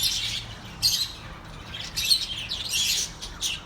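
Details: Budgerigar flock sounds for lonely pet birds: harsh squawking chirps and buzzy chatter in bursts roughly every second, with short downward-sweeping notes, over faint room hiss.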